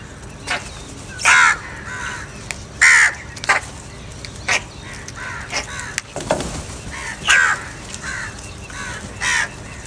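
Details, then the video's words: Angry crows competing for food caw repeatedly, loud harsh notes mixed with softer distant ones, about one every second, with a brief thump midway. "Angry kauwa ki awaaz | Crow bird Fight for Food"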